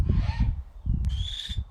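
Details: Corazon, a female captive Barn Owl raised in human care at a wildlife center in New Mexico, gives two harsh, hissing screeches, each about half a second long, on a sunny day, over strong low wind rumble and handling noise.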